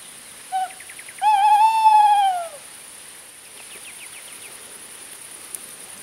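A male Tawny Owl gives one short, soft hoot, a brief pause, then a long, drawn-out, slightly wavering hoooo, low and mellow, over a faint insect hum.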